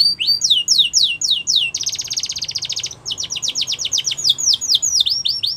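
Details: In the wild, a yellow canary sings rhythmic high descending notes, then a dense buzzing trill, followed by further runs of clear repeated downslurred syllables.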